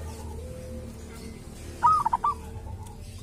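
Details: Local wild zebra dove from a sacred tomb, with a distinctive voice, utters one quick phrase of a rising note and three or four short coos midway through otherwise quiet background hum.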